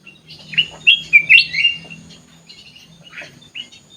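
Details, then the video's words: Sooty-headed bulbul kept in an aviary, delivering a rich, warbling phrase of several slurred whistles in quick succession. A couple of short chirps follow, over a constant low drone. "kutilang emas gacor cor cor"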